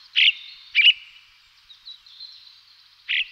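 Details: Blue rock thrush calling: three loud, short burry notes, two close together and one after a gap, each trailing into a ringing echo, with faint softer notes between.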